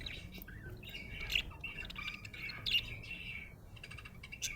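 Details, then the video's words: Happy budgerigar warbling a steady, scratchy chatter punctuated by brighter squeaky accents every second or so, ending with rapid clicking notes. "Happy budgie chirping sound"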